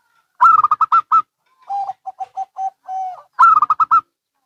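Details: Local and Bangkok zebra doves answer each other: a loud rapid burst of higher stuttering coos, a reply of lower, softer spaced notes with a drawn-out coo, then another loud burst.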